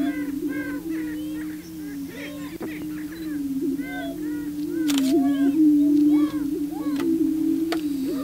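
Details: Male prairie chickens on their booming grounds trying to attract a female; continuous low droning boom under many rapid overlapping whoops and cackles, with a sharp click partway through.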